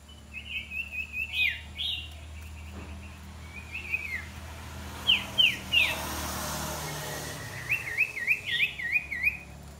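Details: Iora trained for decoy use calls in quick rippling chirp series and down-slurred notes, with a burst of noisy background mid-way before a closing run of wavy repeated chirps.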